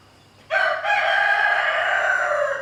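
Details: Rooster harassing a mother hen and her chicks; after a short silence, a loud crow opens with a quick first note, then stretches into a long, brassy, drawn-out tone lasting about two seconds.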